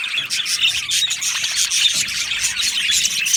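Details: Many Australian budgies in an aviary colony, fast chirping and twittering with clear short whistled notes over continuous scratchy flock chatter, evenly loud throughout.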